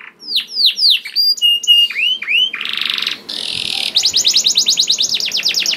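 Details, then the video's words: Canary in lively continuous song, used as a lure for other canaries: swooping whistles and flat tones, two harsh buzzy stretches, then a fast, even rattling trill to the end. "Kenari Gacor Mewah Langsung Nyaut Gacor Dor Di Pancing Kenari Ini Bikin Emosi || Voice of Canary"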